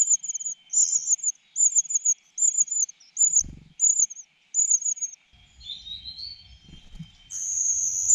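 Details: Greedy cuckoo fledgling begging while being fed: a steady string of short, high, rasping notes roughly every half second, then rustling and one longer, louder hissing burst at the end.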